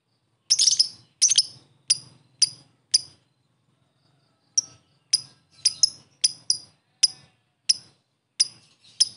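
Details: Fighter lovebird in the ngetik ticking style, used as a lure to provoke a response: sharp, high clicking ticks in two quick bursts of five, a pause, then a longer irregular run of ticks.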